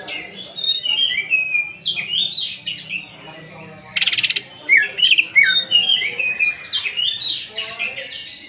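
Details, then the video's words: Cucak ijo (greater green leafbird) in 'nembak' style with rough fill-ins as an emotion lure: swooping whistled phrases, a short buzzy rattle burst midway, then more rapid bright chirps and slurred whistles. "Pancingan emosi Cucak ijo. Cucak ijo nembak bongkar isian kasaran."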